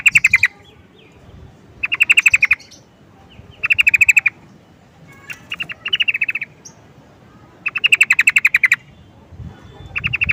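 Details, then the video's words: Sooty-headed bulbul, known locally as trucukan, calling in a steady series of rapid chattering bursts, each a brief string of sharp, clear notes, repeated roughly every two seconds, with soft low background rumble. "Burung trucukan memanggil"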